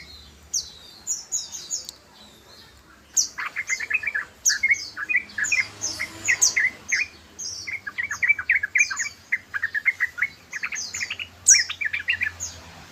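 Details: Rapid 'ropel' chatter of a yellow-vented bulbul, known locally as trucukan: after a quiet opening, dense bursts of bubbly, slurred notes mixed with thin high chirps tumble on almost continuously, in loud clusters with brief pauses.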